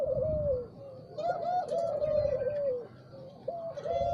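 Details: Spotted dove cooing in the morning, low mellow rolled coos with short rising notes, overlapping phrases over a soft background murmur and faint high chirps.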